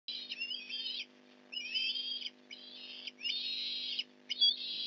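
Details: Osprey at a nest in Port Lincoln during a fish delivery, 8:24am on November 15, 2019: loud, high, whistled calls with a bright edge. Each call lasts about a second and repeats after short pauses, with a steady low hum underneath.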